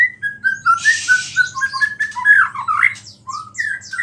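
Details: A white-rumped shama sings lively phrases imitating small birds, a song said to stir other shamas. It gives clear mid-pitched whistled notes in quick succession, some swooping, with a noisy rustle early on and a low hum throughout.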